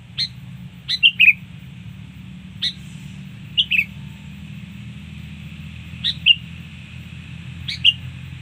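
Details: Sooty-headed bulbul song for luring birds, sparse whistled two-note phrases falling in pitch, spaced two to three seconds apart, with sharp clicks and a steady low hum.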